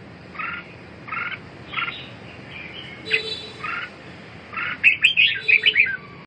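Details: Red-whiskered bulbul giving paired chirpy notes at a steady pace, then a faster, louder run of sharp twittering phrases near the end, with a quiet hum underneath.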